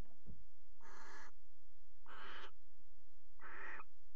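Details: Barn owl pair at a nest box in a water tower, mating on the box edge in February: three harsh, hissing screeches, each about half a second long, spaced roughly every 1.3 seconds, with a brief knock at the start.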